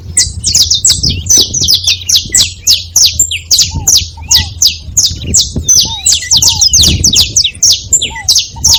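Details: Saffron finches in a group call nonstop with a dense, irregular stream of sharp high chirps. Occasional lower, hooked notes are mixed in.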